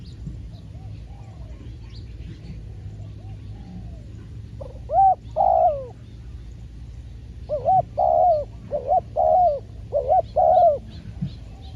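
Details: Spotted dove heard during a trapping session with a trained decoy. After a quiet stretch, two mellow coos sound, then a run of short paired hooting notes repeated roughly every half second, over a faint low rumble.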